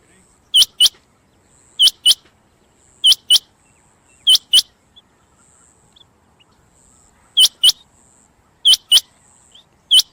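A rain quail gives sharp, high, metallic double notes, about one pair every second or so in short runs, with a faint high insect hiss behind.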